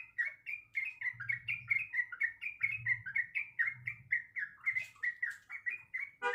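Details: Sooty-headed bulbul female calling to a male: an unbroken stream of quick, bright, downslurred chirps, roughly three to four per second, with faint low rumbling behind and a sharp click at the very end.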